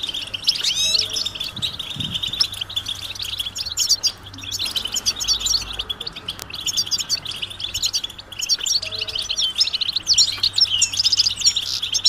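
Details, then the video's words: Mating and readiness twittering of European goldfinch to stimulate males: rapid, high, tinkling notes in dense runs, interrupted by short gaps, with a low hum and a brief thump near two seconds. "بتبتة الحسون علاج سكوت الحسون نذاءات التزاوج والتجهيز"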